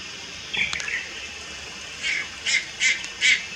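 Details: Juvenile Malayan night heron recorded at Lugu on 30 July 2022: a short raspy burst, a gap, then four hoarse, breathy notes about every half second in quick succession.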